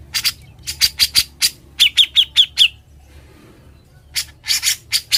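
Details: Cucak jenggot, the grey-cheeked bulbul, singing gacor and ngebren as a training master: rough chattering bursts, then a run of five clear downslurred whistled notes, a brief gap, and more rasping bursts.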